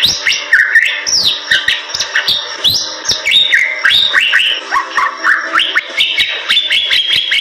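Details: Bali myna singing in 'super gacor' style: loud downward-sweeping whistles and upslurred notes repeated in quick succession, with harsh chattering and snapping clicks woven through the song.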